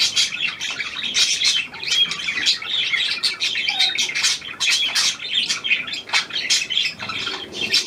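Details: Hand-tame Australian pied budgerigar, newly acquired, recorded 17 February 2023; dense, fast chattering of short chirps and squeaky notes, with brief whistled slides, running without a break throughout.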